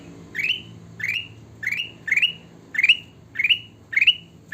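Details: Kutilang emas, the sooty-headed bulbul, in lively song, giving a quick upslurred whistled note again and again at steady half-second spacing over a soft low rumble.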